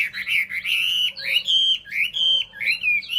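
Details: Chinese hwamei delivering a continuous flow of rich, fluty whistles, each phrase rising and falling, repeated in pulses about every half second with little pause.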